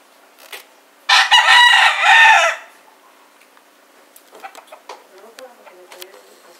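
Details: Two roosters yell at each other near a cock fight in Puerto Rico in winter 2014. A single loud, harsh, harmonic crow lasts about a second and a half between quieter stretches of faint voices and crowd noise.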